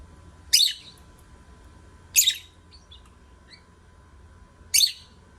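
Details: Lovebirds singing: three loud, harsh, shrill chirps spaced roughly two seconds apart, with a few faint short squeaks between them and a low background hum.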